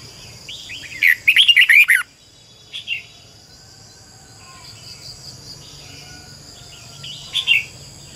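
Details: Red-whiskered bulbul decoy bird singing a double-voiced training song. One loud, tight burst of fast twisting whistles, followed by soft scattered chirps and a brief final phrase.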